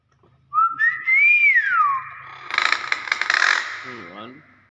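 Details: A Nias hill myna sings in its own voice: a clear whistle rising then sliding down, then a loud rasping, crackling burst, ending in a low voiced note. Indoor room, with a person encouraging it.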